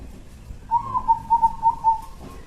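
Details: Loud local zebra dove from Jambi, used to lure others, delivering a quick run of about seven soft, mellow coo notes on an even low pitch over light background rumble.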